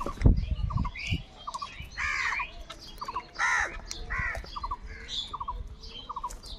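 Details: Crows fighting for food let out two strong, harsh caws among steady small chirps from other birds, with a thump and rustling at the beginning.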